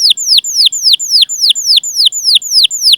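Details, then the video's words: Canary giving repeated cuit-cuit calls, used as a lure for young, untrained or silent canaries. Clear, downward-curving whistled notes about three times a second, evenly repeated throughout. "Masteran Suara Burung Kenari Gacor Panjang cuit cuit Ngerol untuk Pancingan Kenari!"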